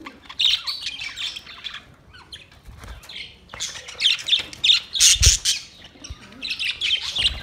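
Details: White and green parrots in a colorful colony, heard as loud, harsh squawks in irregular bursts, several birds overlapping, with short pauses between outbursts.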